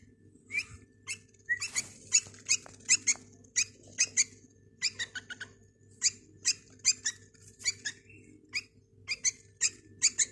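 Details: White-eared (Iraqi) bulbul being fed, giving sharp, high squeaky notes, two or three a second, sometimes in quick clusters, over a faint low indoor hum.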